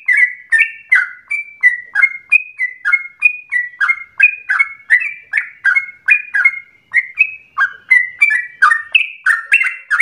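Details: Yellow-vented bulbul song meant to coax other bulbuls into long, rolling, busy singing: a steady run of short, liquid, slurred notes, each sharply struck, varying up and down in pitch at roughly three per second.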